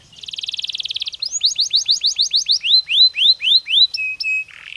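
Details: Canary singing to boost breeding activity: a fine buzzy roll, then clear downward-sweeping notes, slowing into looped whistles and a short flat tone at the end.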